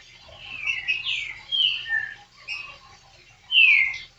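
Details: Green-winged saltator song: clusters of high slurred whistles, some falling, with quiet gaps between them, ending in one loud, clear, downslurred note.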